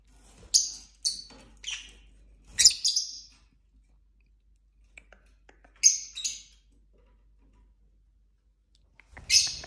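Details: Pet lovebirds, a flock of five mixed colour morphs including blue-and-white, yellow, pale green, black-headed and mango-coloured birds, singing, chirping and squabbling: short high harsh chirps in scattered bursts, some doubled, with quiet gaps between.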